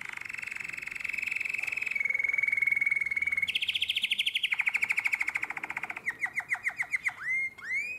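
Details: Nightingale-voiced style canary song recorded in Drama, Greece, in 2017: a long sustained whistled tone, then pulsed rolling trills at several pitches, rapid repeated notes and a few upswept whistles at the end.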